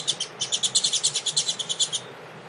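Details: A double-collared seedeater warming up with a female present, as tournament training, sings a fast, bright run of about fourteen high chirped notes, roughly seven a second, over a faint low hum.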